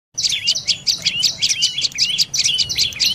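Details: Dark-necked tailorbird calling: loud, rapid series of sharp, high chirps with short downslurred notes, repeated about five times per second in an even, chattering run, with no other sounds.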